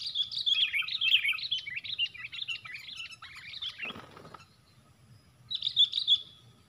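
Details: Sooty-headed bulbul fighting call, four against one, recorded while trapping birds. A fast run of rough, scratchy chattering notes lasts about three seconds, breaks off after a short rustle, and then a second brief chattering burst follows. A low hum runs underneath.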